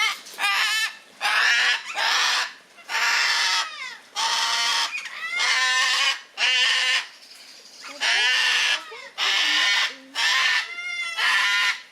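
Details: A captive gang-gang cockatoo at Palmitos Park, Gran Canaria, Canary Islands, gives about ten harsh, creaky, grating screeches, each under a second, repeated roughly once a second with brief pauses.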